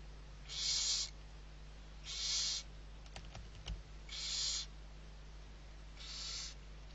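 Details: Young barn owls, six owlets being fed at Riet Vell reserve in Spain's Ebro Delta on 21 November 2023, give long, harsh, breathy hisses, four in a row about every two seconds, with a few sharp clicks and a steady low hum between.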